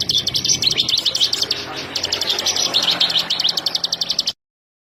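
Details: Bar-winged prinia, known locally as ciblek sawah, giving a fast high buzzy trill of rapidly repeated sharp notes, roughly four per second, over a low background hum, ending abruptly.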